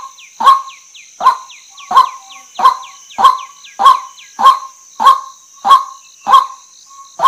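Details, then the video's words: Female white-breasted waterhen uttering about a dozen loud, rasping croaks at a regular pace. Repeated thin downslurred whistles from another bird and a continuous high hiss accompany the calls. "เสียงนกกวักตัวเมียนกไก่นา maurornis phoenicurus ruak-ruak"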